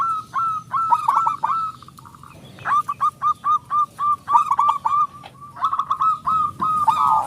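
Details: Loud-voiced local zebra dove, a lure to set other doves singing, delivers long runs of fast, evenly spaced cooing notes, each with a short downward hook, in three strong phrases.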